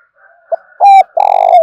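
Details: A spotted dove lure call to stimulate other doves: a brief soft note, then a very loud, bright coo, then a loud rough buzzing note gliding down. Recorded close, with strong overtones.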